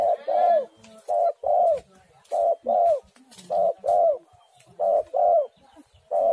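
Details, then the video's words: Spotted dove cooing, a lure recording meant to get captive doves singing: a steady run of paired hoarse coos, a short note then a longer down-slurred one, repeated about every second and a half. "tekukur super gacor sekali putar langsung nyaut"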